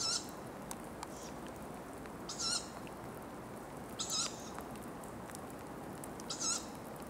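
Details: Tawny owl in Ostankino park: four short, hissy, high-pitched wheezing calls spaced about two seconds apart over a steady low rumble of background noise.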